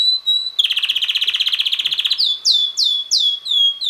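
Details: Little red male canary, around six months old, singing: one held high note, a loud rapid buzzy trill, then four or five downward-slurred chirps repeated about twice a second.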